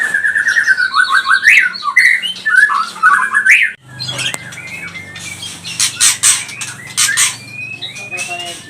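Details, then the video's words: White-rumped shama (murai batu pastol) in agitated, loud singing, played to provoke rival birds: clear whistled phrases and trills, a brief break near four seconds, then scratchy clicks and thin rising whistles over a steady low hum. "Murai batu pastol cepat bunyi gacor emosi"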